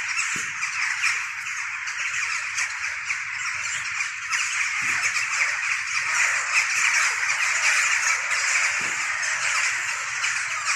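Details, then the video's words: Mixed flock of jackdaws, hooded crows and rooks before dawn, perching in trees and flying in a cloud across the sky, often numerous before frosts; dense continuous chatter of many overlapping harsh calls and squawks. "Голос врановых."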